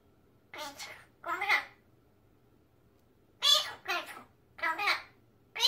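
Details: Talking pet magpie, male, imitating human words indoors: paired harsh, breathy syllable bursts in two groups with a two-second silence between, each burst raspy and broad, with no other sounds.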